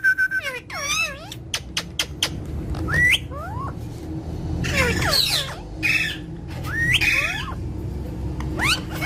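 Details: Parrot chattering in bursts: short whistled sweeps, sharp clicks, and harsh harmonic squawks with irregular gaps, over a steady low background hum.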